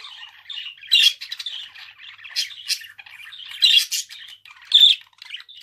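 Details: Budgerigar chattering softly in scratchy murmurs punctuated by louder piercing squawks roughly once a second, in an uneven rhythm.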